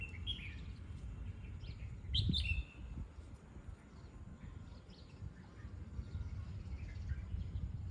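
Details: Red-whiskered bulbul during training, with short warbled phrases near the start and a louder burst around two seconds. Scattered softer chirps follow over steady low rumbling background noise.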